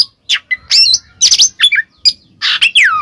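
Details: Oriental magpie-robin (kacer) in ngeplong song used as a lure for a silent bird; a short run of scratchy chirps, sharp whistles and a long downward-sliding whistled note at the end.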